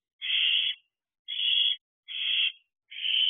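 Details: Fledged owlet inside a nest box shortly after midnight, 30 June, as food arrives: four rough, hissing screeches, each about half a second long and flat in pitch, separated by short silences.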